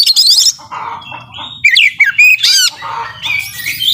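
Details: Oriental magpie-robin pouring out a varied song: a scratchy rattle, rich slurred whistles rising and falling, then loud harsh squawks and short chirps.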